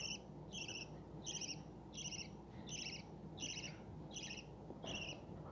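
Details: Breeding budgerigars with chicks give a steady series of short, high, buzzy chirps, about one every two-thirds of a second, over a constant low hum.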